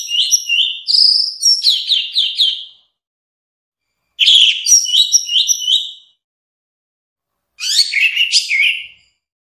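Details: Orange-headed thrush singing three varied, fast-paced phrases of high chirps and slurred whistles, each about two seconds long, with quiet gaps between them.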